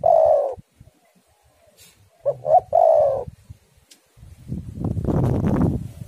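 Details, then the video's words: Spotted dove singing on a lure recording meant to make doves sing. A long rolling coo ends, then a full phrase follows: two short coos and a sustained burry coo. Loud broad rushing wind-like noise sweeps in at the end. "tekukur super gacor suara angin ribut"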